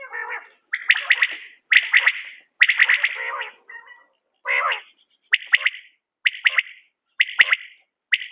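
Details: Common quail from a quail-hunting setting repeats its clipped triple-note call at a lively, uneven pace. Some lower, buzzier calls break into the series partway through.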